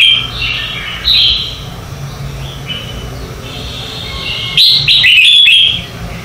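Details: Red-whiskered bulbul morning song for training birds and competition singing: a run of quick, bright warbled notes, a pause with faint phrases, then a loud, clear whistled flourish near the end.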